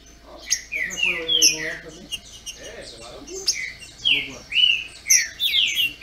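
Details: Captive Brazilian green-winged saltators singing against each other: bursts of bright, slurred whistles and chirps over a murmuring human voice in the background.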